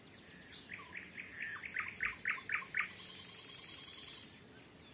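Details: Nightingale at sunset in calm weather, early June 2023, Volga region of Russia, with three birds calling back and forth: a fast series of clear, mid-pitched notes that grows louder, then a high hiss in the background.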